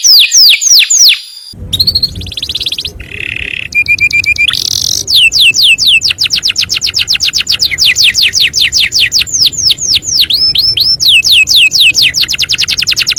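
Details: Master canary calling friends and fighting: varied song with brief buzzy phrases and pauses, then long runs of fast, clipped descending notes, with a faint low rumble beneath.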